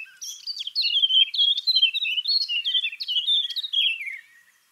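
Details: A Eurasian Blackcap sings a fast, high, grating, chattering warble of varied notes, ending in clearer, flutier phrases, with a blackbird singing in the background.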